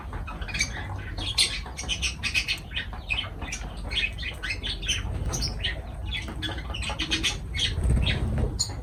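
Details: Quieter lovebird chatter, many short, high, squeaky chirps tumbling over each other at a fast, irregular pace, over a low background hum.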